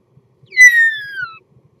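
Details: A single drawn-out whistle from a common starling in mating song, starting high and gliding smoothly down over nearly a second, with rich overtones and only faint low rumble behind.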